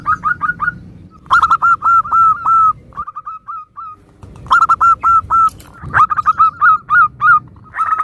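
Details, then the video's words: Local Zebra doves with varied songs meant to provoke other doves into answering: repeated bursts of fast, ringing, hooked notes, each burst of five to eight notes, with brief silences and a low rumble. "Perkutut lokal gacor suara bermacam - macam Nutut kompilasi ini ampuh untuk Pancingan Cepat NYAUT"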